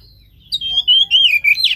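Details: Oriental magpie-robin song played to stir a lazy caged bird into singing; loud, clear whistled phrases sliding up and down, broken into short bursts with brief gaps, following half a second of quiet.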